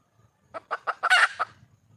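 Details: Wild red junglefowl hen calling for a mate: four quick clucks accelerating into one loud, rough, broadband squawk, closed by a single cluck.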